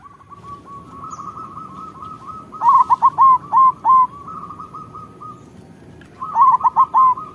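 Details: Local zebra dove song used as a lure and as a model for moulting doves. A soft, even run of coos builds into five loud, choppy notes. Rippling cooing continues before another loud stuttered phrase near the end.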